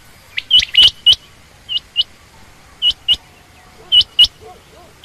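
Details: Female quail, common or rain quail, making clipped, high chirps in pairs with gaps of about a second. A faint, low warbling sound is heard late on.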